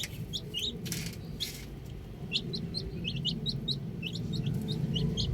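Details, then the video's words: Young chicks enjoying time outside, uttering bright, short, high chirps that come thicker in the second half, with brief rustles and a constant low background rumble. "Cute Baby Chicks Chirping Sounds"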